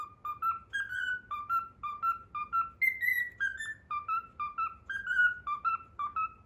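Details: A pet cockatiel sings its learned Pythagora Switch tune in bright whistled notes, mostly short and evenly paced, with a higher drawn-out note near the middle, giving a bouncy repeated melody over a quiet indoor background.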